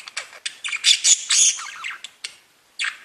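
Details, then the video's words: Budgerigars singing: a dense burst of grating, buzzy chatter and bright twitters, then a few isolated clicks and a final rough squawk after a short pause. "Веселое пение волнистых попугайчиков"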